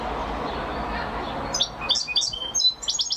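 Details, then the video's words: European goldfinch song beginning after a stretch of steady low noise: bright twittering notes and short high chips come in at the end, quick and irregular. "Carduelis(Goldfinch) Champion amazing singing !"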